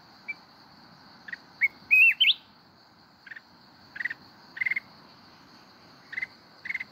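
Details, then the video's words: Mountain red-whiskered bulbul singing in the forest-voice style called kít bổi: clusters of short stuttered chips around mid-high pitch, broken by one sliding, rising whistled phrase, with a steady high insect-like hum behind. "chào mào núi hót giọng rừng kít bổi cực hay"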